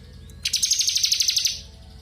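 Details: Crystal blue robin singing a continuous drilling song, offered as a clear-voiced training recording for magpie robins; a fast even trill of high notes lasting about one second.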